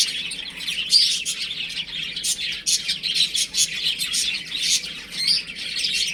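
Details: Young chickens at play indoors, producing sharp, high chirps in quick irregular bursts over a busy background of more peeping.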